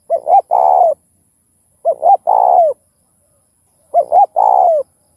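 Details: Repeated spotted dove coo played to trigger other doves to call: three phrases about two seconds apart, each a quick double hoot followed by a drawn-out coo falling at the end, clean and loud.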